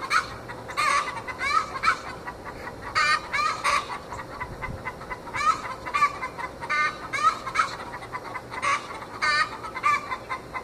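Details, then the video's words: Young Australorp hens, twenty weeks old, making a huge backyard fuss with the egg song, a call usually tied to a hen that has just laid: repeated loud, rasping cackle phrases roughly every second or two, interspersed with clucks. "Australorps singing the "egg song""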